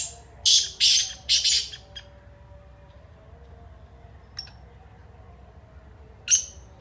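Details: Black francolin (kala teetar) giving a harsh, grating phrase of four to five rasping notes in quick succession, then a long quiet stretch with a single faint note and one more sharp note near the end.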